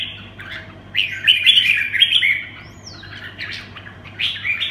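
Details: A red-whiskered bulbul sings its 'quảng lân bướm' song style: a loud tumbling warble, a quiet gap with a thin slurred whistle, then renewed bright chirps, over a low hum.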